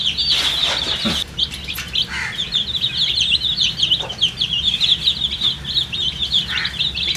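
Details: Coloured chicks, thirsty for water, keep up a steady stream of rapid, piercing high peeps from many birds at once, broken by a few soft knocks.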